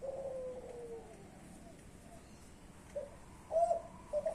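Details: Spotted dove, a young Klantan bird from champion stock, with a fading downward coo, a quiet gap, then short hooted notes starting a new phrase; faint voices possibly present.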